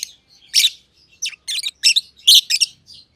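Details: Aviary lovebirds, one green personata under a year old and one green pied personata, give loud, harsh, high chirps, singly and in pairs, separated by brief quiet gaps.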